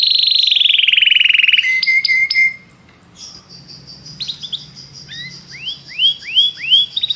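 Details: Belgian canary singing: a loud buzzy trill, a short pause with clipped notes, then a thin sustained tone and a run of repeated upward-curving whistles.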